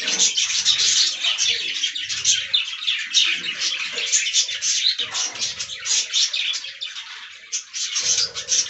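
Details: Budgerigars feeding on fresh greens fill the air with constant overlapping chirps and scratchy warbles from many birds, nearly without pause, over intermittent low rumbling and scraping noises.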